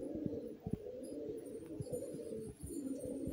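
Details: Young racing pigeons of 2022 kept at home with a garden: steady soft low cooing murmur, broken by dull thumps and knocks.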